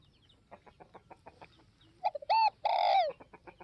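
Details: Spotted dove from northwest Vietnam giving one loud cooing phrase: a short low note, then two longer mellow coos, the last falling away. Faint rapid ticking and clicking fills the background throughout.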